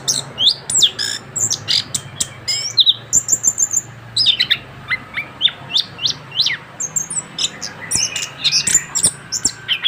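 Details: Young caged orange-headed thrush after moulting, singing steadily: bursts of high chirps, whistles and buzzy notes in irregular phrases, with a brief quieter pause midway.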